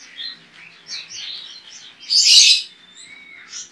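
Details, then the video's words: Competition white-eye from Pontianak, West Kalimantan, Indonesia, entered in an online singing contest, delivers thin high warbling notes, then a loud burst of rich chatter in the middle, followed by a short rising whistle. "LOMBA PLECI ONLINE 23 - Aksi Pleci OZORA"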